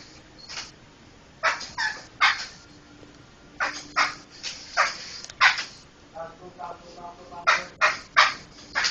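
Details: Laughingthrush singing in a recording for tutoring other cage songbirds: clusters of loud, harsh, grating notes come in irregular runs. Faint tonal notes appear between the bursts.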